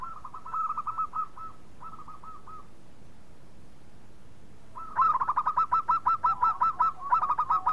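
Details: Zebra dove lure song meant to set other birds singing. A quieter run of rapid, clipped coos is followed after a silence by a louder, longer rattling string of ringing notes that repeat about eight times per second.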